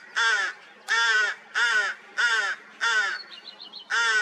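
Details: Rooks with newly hatched chicks after a cold spring, 16 May 2023: six loud, harsh, nasal caws of about half a second each, repeated roughly every 0.7 seconds, with faint high chirps between them.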